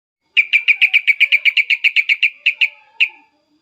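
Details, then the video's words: Sooty-headed bulbul giving excited, emotional calls: a fast run of about fourteen short, bright chirps, sharp-edged and evenly pitched, slowing slightly near the end with two spaced final notes, over a clean, quiet background. "suara trucukan emosi cukcuk keras dan uplikuplik ini menjadikan agar burung trucuk gacor nyaut emosi"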